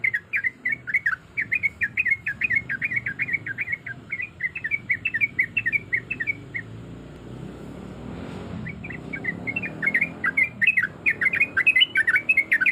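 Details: Sooty-headed bulbul, a breeding female calling males, gives a long, lively chatter of bubbly, rapidly varied notes. A muffled low rumble swells in the middle, with a brief gap in the calling.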